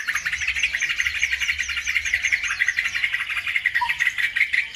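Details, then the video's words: Bird song intended to stir other birds into singing: a continuous, fast chattering twitter of rapidly repeated notes at a steady pitch, lasting throughout, with a faint low hum beneath. "PANCINGAN SUPER AMPUH CUKUP HITUNGAN DETIK LANGSUNG NYAUT BIKIN EMOSI BURUNG NAIK IKUT GACOR"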